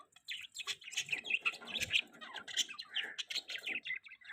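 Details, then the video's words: Budgies chattering in a mating call, a continuous busy stream of high twittering chirps and scratchy warbles, with a few sharper squeaks and a soft thump partway through. "Budgies Mating Call"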